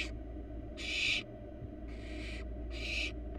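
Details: Harsh breathy hisses from a wild barn owl nestling in a nest box, three strong bursts of about half a second in quick succession above constant low hum.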